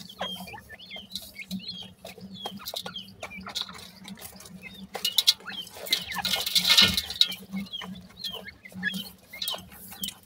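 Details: Grey francolin chicks peeping steadily: brief high upswept chirps from several birds, repeated rapidly throughout, over a low steady hum with a burst of rustling midway.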